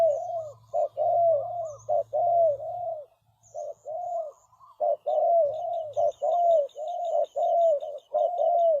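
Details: Trapping decoy spotted dove calling to draw in wild birds. Repeated low coo phrases of short and long notes with a brief pause midway, over a low hum and rapid high chirping from other birds.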